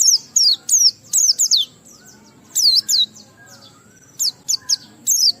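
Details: Oriental white-eye delivering 'ngalas' song with 'riwikan' fill-ins to spur other white-eyes to sing: clusters of piercing, high, down-swept chirps in quick groups of two to four, separated by short pauses.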